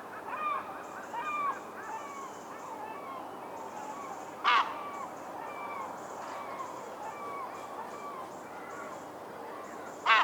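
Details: Herring gulls, recorded in the wild, call over one another in a busy chorus of mewing and yelping notes, with two sharp, loud bursts standing out.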